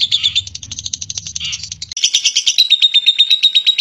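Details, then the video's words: Lovebird giving a clear ngekek, its long chattering song: rapid high buzzy notes pouring out nonstop, at first over a low hum, then cleaner and brighter with a thin steady whistle running through the chatter. "Burung Lovebird Ngekek Jernih Pancingan Buat Lovebird Ngekek Panjang"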